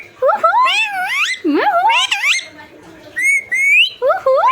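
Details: Pet talking parrot mimicking human voices and making funny sounds: a string of loud, wavering whistles that swoop up and down, with a few voice-like syllables and a steadier rising whistle midway.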